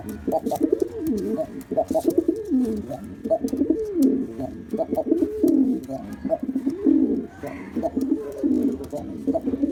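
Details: Black male pigeon performing a display: a steady run of deep, throaty cooing phrases, each swelling and falling, repeated around forty times a minute with some overlap.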